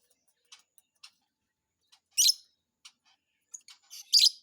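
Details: Lovebird chirping: scattered short high ticks and chirps, with two louder, harsher bursts of chatter near the middle and end, otherwise quiet.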